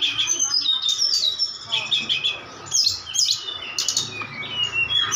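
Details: A Bali brown-chested jungle flycatcher, in mental training against a mountain tledekan song played through a speaker, begins to fight back, giving a busy, high, sweet warbling song of quick whistles and trills tangled with the speaker bird.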